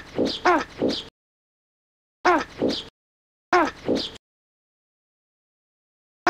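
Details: Great white pelican (Pelecanus onocrotalus), call.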